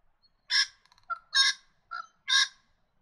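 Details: Little wattlebird giving loud, harsh, raspy squawks. Three main grating bursts come about a second apart, with softer clucking notes in between, against a quiet background.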